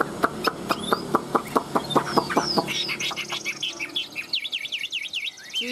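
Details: Tam hoàng song from a caged Chinese hwamei: a string of sharp, evenly spaced clicks, then high zigzag whistled notes repeated in quick succession.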